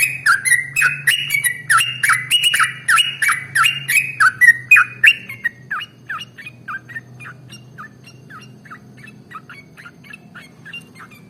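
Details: Trucukan, the sooty-headed bulbul, in long continuous 'ropel' singing meant to train other birds: loud quick whistled phrases for about six seconds, then the notes grow fainter and more spaced, about three a second, fading out.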